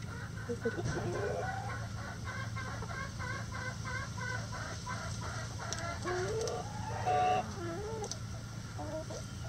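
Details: Hens singing the loud egg song: a rapid series of regular, harmonic cackling clucks, about two per second, building into louder, squawking, rising cries, with steady low background rumble.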